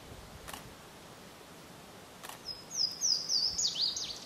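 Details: Louisiana waterthrush singing at Pond Road, Windsor State Farms Corrections, Vermont, on 27 April 2014: after two faint clicks, a loud high song starts with clear slurred notes and ends in rapid jumbled twittering, over steady background noise.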